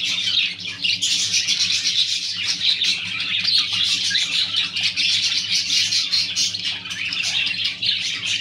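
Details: Captive clearwing budgerigars produce a steady flock chatter of sharp chirps and twittering warbles that overlap throughout, over a faint continuous low hum.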